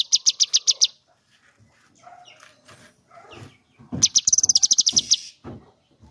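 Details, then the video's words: Cucak kinoi song in the 'tembakan' style, compared to gunfire: rapid volleys of sharp, high chirps, one short burst at the start and a longer run of about a dozen notes later, with scattered faint noises between. "tembakan birung cucak kinoi seperti kapaatembak"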